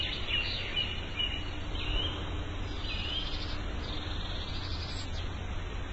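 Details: Morning birdsong outdoors, with several short whistled and chirped phrases, some sliding up or down, repeated at irregular intervals over a steady low background hum.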